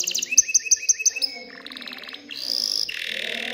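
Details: Excited male canary singing to stimulate females to mate and build a nest: a run of repeated high chirps, then a quick buzzy trill and a bright sustained rattle.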